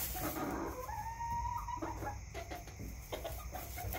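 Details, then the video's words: Backyard chickens cluck, one giving a drawn, rising whine-like note followed by short clucks, over a constant low hum. "CHICKENS CLUCKING"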